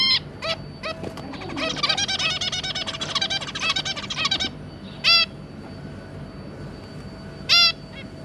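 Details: Zebra finch family of a pair with three juveniles, 2 August 2022: a few nasal beeps lead into about three seconds of rapid chattering, buzzy song notes, then silence broken by two loud single honks.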